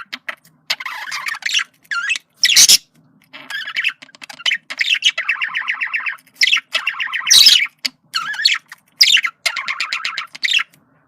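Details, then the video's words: Male budgerigar communicating, a single bird heard indoors: bursts of rapid buzzy chattering warble interrupted by sharp harsh squawks and brief pauses. "sonido de comunicación de periquito macho"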